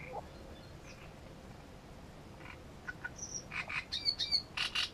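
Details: Song of a great reed warbler recorded at Grachevka, building from scattered scratchy notes into a loud closing sequence of harsh, grating, rapidly repeated syllables with a few higher whistled accents.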